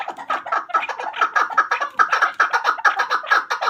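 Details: A hunter chukar partridge gives rapid, harsh clucking chuk notes, about five per second in a steady chattering run, with a slightly boomy indoor echo.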